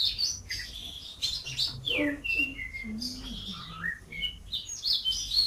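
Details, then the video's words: Canary song from a compilation of national champion singers, varied styles from fast to slow: rapid series of whistled and trilled phrases, some sliding notes dropping in pitch, with faint lower tones underneath. "KUMPULAN SUARA KENARI GACOR BERBAGAI VARIASI DAN GAYA !"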